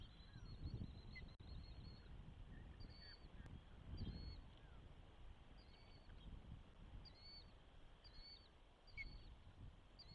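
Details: At a Charlo, Montana osprey nest during the first hatch, recorded by a nest camera: a steady series of short high piercing chirps, about one per second, over gusting wind noise.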